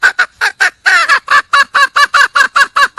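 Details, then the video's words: Wild red junglefowl hen calling for a male, delivering a steady, rapid series of loud harsh clucking pulses, about five per second, with one longer rough note early on. "le bruit d'une poule sauvage,เสียงไก่ป่าร้องหาถู่หาตัวผู้,ສຽງໄກ່ປ່າຮ້ອງຫາຄູ່ຮັກ, poj qaib qus see"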